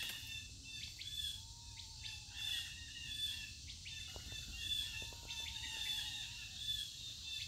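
Several birds give short chirps and sharp high notes, with a few lower drawn-out whistles, over a steady high insect hum.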